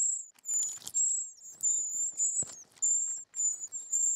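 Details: Short-toed treecreeper chicks in the nest begging while being fed: very high, thin drawn-out notes repeated in quick succession with short gaps, along with soft rustling and clicks.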